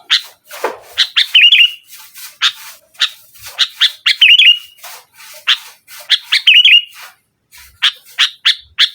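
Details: Busy, continuous sooty-headed bulbul song in the nggaruda style, used to press rivals: dense runs of sharp chirps broken by repeated bubbly warbled flourishes, with little silence between.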